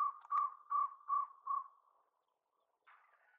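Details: Jungle owlet in Tadoba National Park, Maharashtra, India, in February 2020, gives five hollow, mid-pitched notes, about two and a half per second, fading away, followed by a brief, rougher, higher sound.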